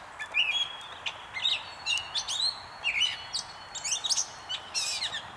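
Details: Gray catbird at North Tetagouche, NB, giving a rapid, jumbled run of varied squeaky, scratchy and whistled notes in short phrases separated by brief pauses, with some sharp high clicks mixed in; no other clear sounds.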